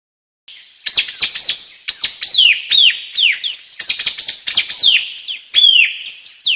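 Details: Shrill, sliding notes from a White-capped tanager, each dropping steeply in pitch, grouped in short bursts about once a second over roughly six seconds.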